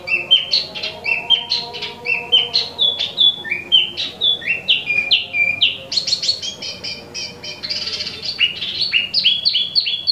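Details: An imported, healthy caged streak-breasted scimitar babbler in Jakarta sings nonstop, a fast, unbroken run of bright, slurred whistles and chirps that rise and fall quickly, with a faint low hum beneath.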